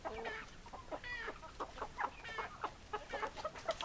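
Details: Hens and roosters cluck busily, a crowd of chickens producing choppy repeated clucks and a few longer nasal squawks in quick succession.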